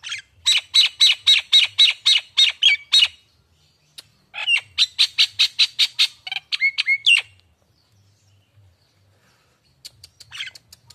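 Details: Nias hill myna, pancingan and masteran lure recording used as an early trigger for a young untrained bird. Two bursts of loud, harsh, evenly repeated squawks, about a dozen each, close with quick whistled notes, then scattered faint chirps.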